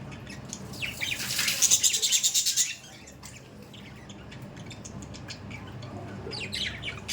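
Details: Budgerigars give a loud, fast buzzy rattle for about a second and a half, then drop back to scattered soft high chirps and warbling.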